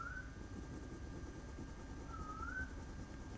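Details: A male Eastern Koel, a migrant brood-parasitic cuckoo, calls for a female north of Sydney on a sunny morning after days of rain: two clear, rising whistled notes about two seconds apart, faint over a steady low rumble.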